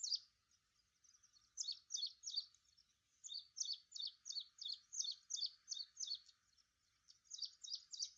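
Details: Ashy prinia calling: a quiet, high series of short, sharp, clipped notes in tight clusters, repeated about three times a second with brief breaks, in quiet surroundings.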